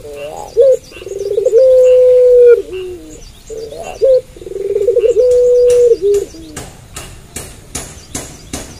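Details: Night-time puter pelung cooing: two phrases, each a throbbing roll leading into a sustained, level coo with a dipping finish, followed by a series of sharp taps or clicks.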